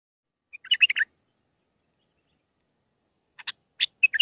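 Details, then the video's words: Bulbul singing a Mandalawi-style song with six phrases, meant for training young birds: a short bubbling burst of rapid warbled notes, a pause, then scattered sharp chirps ending in another warbled flourish. "للتخريج االمخاليف. مندلاوي ب6 لسانات"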